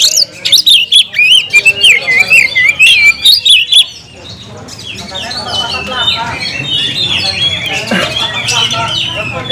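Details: Caged oriental magpie-robin in full song: varied, fast whistled phrases and rising and falling trills, louder at first, then a softer, busier passage with background chatter.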